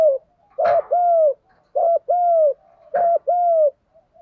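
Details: Spotted dove kept as a decoy, calling to challenge and draw in wild birds. Three low double coos follow one another at even intervals, each a brief hooting note and then a longer, steady, slightly falling coo, with a soft click between phrases.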